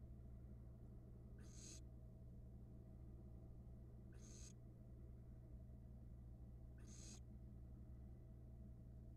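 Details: Barn owl nestlings on a Florida nest cam, tearing into a rat; three short rasping hiss-screeches roughly every two and a half seconds, against a constant low electrical hum.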